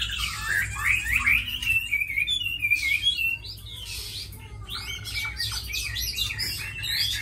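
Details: Tame Chinese hwamei, described as a good fighter and fine singer, pouring out loud varied whistled phrases, sliding and looping, with brief pauses and a quieter trailing passage after three seconds.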